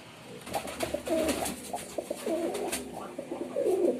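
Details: Male pigeon in performance, a steady run of rolling, throaty coos with a rising-then-falling contour, close and fairly loud, mixed with light clicks and rustling.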